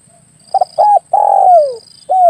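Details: Hunting lure recording of a spotted dove, called derkukur or tekukur: stuttering start, a held mellow coo, a long coo gliding downward, and the next coo beginning at the end, faint high buzzing behind.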